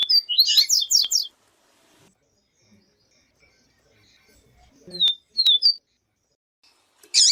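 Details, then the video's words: Song of a Yellow-bellied Seedeater, paired with a female's call to fire up another bird: a fast burst of high slurred notes, a long silence, then two sharp downslurred whistles and a final buzzy chirp. "PAPA CAPIM VIVITI E PIADO DE FEMEA DE PAPA CAPIM"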